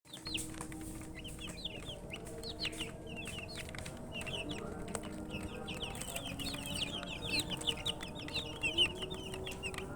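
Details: Many chicken chicks thirsty for drinking water, peeping constantly with short high chirps that overlap and grow busier toward the end, over a low background hum.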